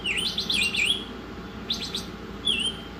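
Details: Brief Oriental magpie-robin masteran excerpt: a run of twisting whistled notes, a short rattle, then one gliding whistle, above low background hum.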